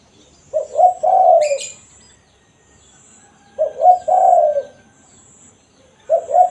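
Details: Spotted dove, called tekukur, giving its cooing call as a lure for wild doves: low, hollow two-part coos, a short note then a longer rolling one, repeated about every three seconds, with a brief high chirp from another bird.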